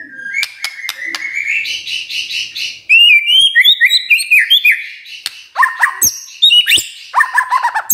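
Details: Magpie-robin song played in the morning to lure other magpie-robins into singing: a thin sustained high trill leads into loud varied whistled phrases and sharp clicks, with short warbling bursts near the end.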